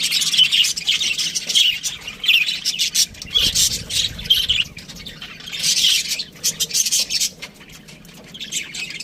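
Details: Budgerigars calling in loud bursts of harsh squawks and rapid chirps, the chatter rising and falling every second or so, with quieter warbling in between.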